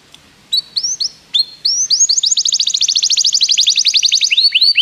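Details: Begie canary song for training: a few spaced upslurred whistles lead into a long, loud, even rolling trill of rapid slurred notes, ending with rising sweeps.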